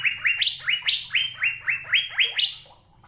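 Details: Asian fairy-bluebird (cucak biru) singing energetically: a fast series of sharp, upslurred whistled notes, about four per second, a few pitched higher, fading at the end over a faint low hum.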